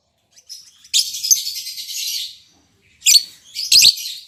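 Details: Captive lovebirds just paired, an albino MM male and lutino MM female: a long buzzy, high chattering stretch, a pause, then two short sharp bursts.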